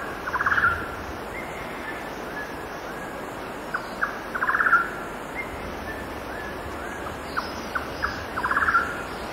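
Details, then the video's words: Golden-naped barbet at 6,000 feet, somewhat quieter: three short, rattling trill bursts spaced about four seconds apart, with scattered single notes between, set against wind, cicadas and faint distant birds. "Golden Naped Barbe / Golden-Naped Barbet. Song"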